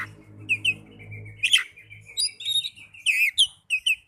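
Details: Oriental magpie-robin song used as therapy to get young or silent birds singing: sparse clear whistled notes and short slurred phrases, with a low hum in the first second and a half.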